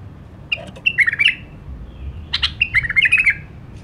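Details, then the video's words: White-eared bulbul, known as the Iraqi nightingale, giving two brief phrases of harsh clicks and rapid bubbling whistled notes, separated by a short gap, with faint low background hum. "تغريد بلبل مخلف 🥰 لسان نقي😄Iraqi nightingale tweet"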